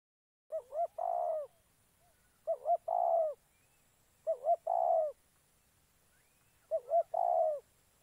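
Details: Spotted dove used as a decoy for trapping wild doves in Gia Lai, Vietnam: phrases of two short rising coos followed by a longer, rough, falling coo, repeated about every two seconds over a quiet background.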